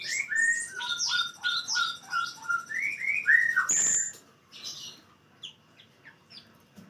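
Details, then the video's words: Blue-crowned hanging parrot singing in full 'nembak' style. A fast series of short, bright, slurred chirps at varying pitches is followed by one sharp high buzzy note, then scattered faint tweets. "srindit full nembak"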